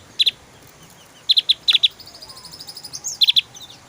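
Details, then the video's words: Javan white-eye singing: short bursts of sharp, high clicking notes in tight groups of two to four, separated by pauses, with a brief run of faint rapid twittering in between. "SUARA TEMBAKAN SADIS BURUNG OPIOR JAWA GACOR"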